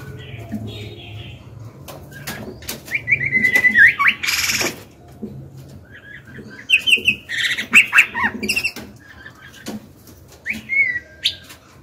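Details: Captive female white-rumped shama singing to provoke males: separate whistled phrases with quick warbled slides, coming every few seconds between loud broad rustling or flapping bursts, with a steady low hum behind.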